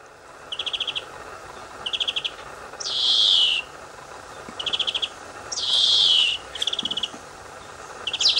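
White wagtail song: short, rapid high trills alternating with harsh, buzzy twittering bursts, the phrases following each other every second or two.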